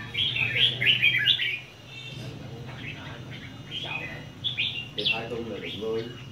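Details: Red-whiskered bulbuls at a singing competition, caged birds on a stand: bursts of bright, warbled chirping phrases, then quieter gaps with scattered notes and low murmuring voices underneath.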